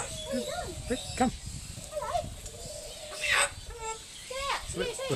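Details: Speech-like chatter from a talking corella at Silverton, NSW, on 25/6/10: short wavering voiced syllables with bending tones, a sharp harsher note in the middle, then more clipped talk-like phrases.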